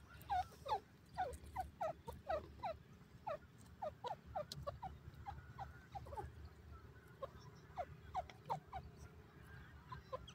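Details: Dakhni Teetar, or Dim Francolin, calling in a natural setting: a rapid series of short, sharp, downward-slurred notes repeated in bursts, some clustered into quick runs, with a steady low background hum.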